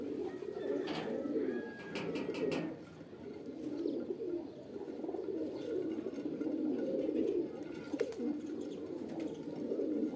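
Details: Pigeons coo in a low, throaty, overlapping chorus, briefly quieter in the middle. Scattered clicks and a faint high whistle are heard early on.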